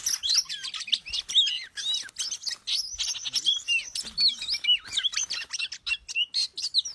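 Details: Oriental magpie-robin singing as a lure recording: a continuous, crowded stream of high chirps, twittering whistles and scratchy notes. The bursts follow each other several times a second without a real pause.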